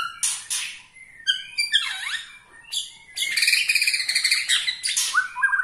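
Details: Bornean-style white-rumped shama, its song stirring up other shamas: scratchy bursts, a V-shaped sweeping whistle, then a dense rapid chatter of mixed tones ending in short upward slurs.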